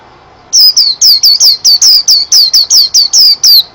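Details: A white-eye's song begins after a short pause: a brisk, even string of around thirteen piercing, high-pitched downslurred chirps, each note dropping quickly in pitch, delivered without break to the end.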